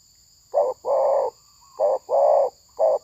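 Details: Spotted dove, a decoy bird used in trapping, gives low, husky coos, alternating short and drawn-out notes, five in about three seconds, over a steady thin high-pitched whine.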